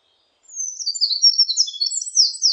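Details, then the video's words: Eurasian wren singing a rapid, high-pitched tumbling song. It begins after a brief silence with a descending whistle, then runs into fast twittering notes and short trills. The background is clean and quiet. "굴뚝새, 여러번 듣기, 곤충소리, 새소리"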